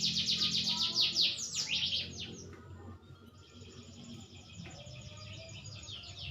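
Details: Green canary, growing more mature, gives a loud burst of rapid trilled and downslurred notes before the song fades into softer twittering over a steady low hum.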